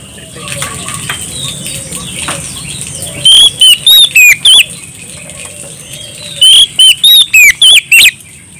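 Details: Oriental magpie-robin singing vigorously to call a rival in ngeplong style: two runs of five or six clear, quick whistled notes rising and falling, about three seconds apart, above a low background murmur and a constant high whine.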